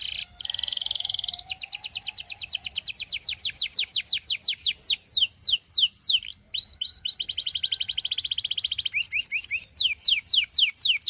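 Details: Russian singing canary, described as a special canary to seduce other canaries, delivering rapid high trills of repeated descending sweeps, shifting between tours of different speed and pitch, with a dense buzzy rolled trill near the end, clean background.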